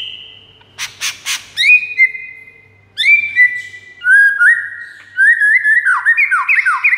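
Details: Master song of a white-rumped shama for luring rivals: scratchy clicking notes, then long level whistles, ending in an accelerating sequence of sliding, descending whistled notes.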